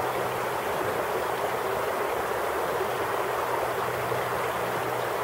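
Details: Steady rushing water from a river or stream fills the recording, with a faint low hum underneath and no animal voices.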